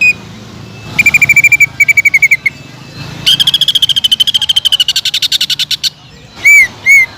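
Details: Greater green leafbird singing strongly to lure other leafbirds: two short steady rattles, a long trill sliding gently downward, then two loud, clear, arched whistled notes.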